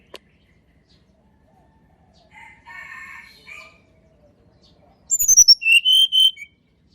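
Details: Sunda robin, natural sound used as a lure for birds that seldom sing; faint rough mid-pitched sounds come first, then a clear song of high falling whistles and lower sustained notes.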